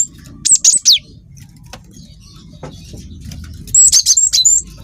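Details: Lure recording of a young cinereous tit, Wingko type; a phrase of three high whistled notes with falling sweeps, a quiet pause, then a quicker run of sharp chirping notes, with faint wing sounds.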